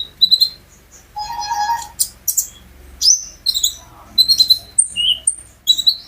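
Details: Caged olive-backed sunbird singing as a prompt for other birds: varied high whistled notes, sharp chirps and short trills, with a lower buzzy note early on and a faint low hum throughout.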